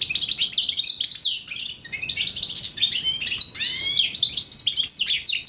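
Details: Goldfinch mule hybrid from Algeria, 2009, in rapid song: tumbling chirps, slurred downward whistles and short rattling trills follow each other without break, all high and bright, with a slight dip in loudness partway through.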